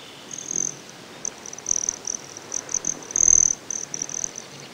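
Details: A broad-tailed hummingbird recorded at Great Sand Dunes in Colorado gives a run of shrill, high-pitched buzzy trills, with one longer, louder burst near the middle and shorter pulses around it in a still setting.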